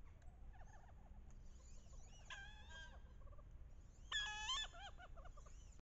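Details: Wood duck hens calling loudly on a bayou in late October during the mating ritual, with head-down chasing and posturing to entice drakes. Several squealing, harmonic calls sliding up and down, with the loudest burst near the end over low rumbling background.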